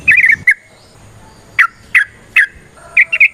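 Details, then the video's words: Yellow-vented bulbul (trucukan) in lively varied song: a short chattering burst, then spaced single sharp, downward-slurred whistled notes, about one every half second, with a faint steady tone behind. "Suara Burung TRUCUKAN gacor ROPEL VARIASI NROTOK NGECUPLIK"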